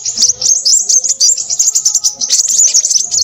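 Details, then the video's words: Loud, excited crimson sunbird vocalizing: dense, very high chattering twitters and thin trilled notes pouring out without pause, brief fluttery bursts mixed in, and a faint low hum in the background. "burung sepahraja ribut"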